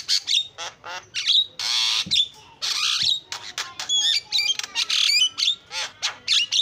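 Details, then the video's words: Lively Javan myna song in 'isian' style with varied filler phrases: raspy noisy bursts alternate with bright whistles and quick chirps, a long hoarse rattle near the middle, steady energetic delivery. "JALAK KEBO KICAUAN PALING KREN SUARA ISIAN"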